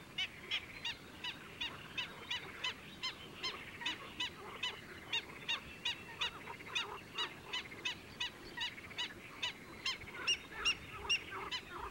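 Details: Single black-winged stilt calling nonstop during the breeding season at Sultansazlığı, Kayseri, Turkey: sharp, nasal yelping notes repeated at a quick, fairly steady pace, about three per second at times. A constant low background hiss underneath.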